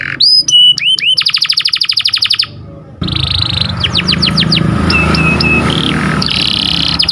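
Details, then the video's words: Canary song meant to train and stimulate breeding canaries: clear whistles and a fast trill at first, then continuing whistled swoops and a steady held note partly masked by loud rumbling, traffic-like background noise. "KICAU BURUNG KENARI || KENARI CUIT CUIT NGEROL TAJAM"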